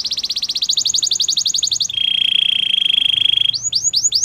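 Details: Belgian canary opens with a fast run of rising notes, switches to a steady buzzy roll held over a second, then returns to clear upswept whistles.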